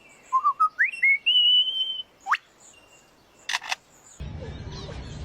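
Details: A lyrebird, a mimic of forest sounds such as chainsaws and camera clicks, gives warbling whistles climbing to a long, steady high whistle, then a quick rising sweep, two sharp clicks, and a burst of rumbling noise.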